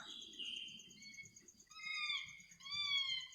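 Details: Soft midnight bird song: long pure whistles gliding gently downward, in overlapping pairs, separated by short pauses, with a continuous high insect pulse and faint low rustling.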